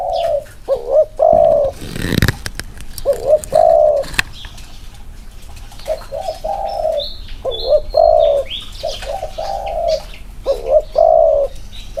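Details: Two spotted doves set next to each other deliver inner-circle cooing. Soft hooting coos with bent, hiccuping starts are heard, along with a brief burst of wing-flapping noise early on. Faint whistles of other birds sound above.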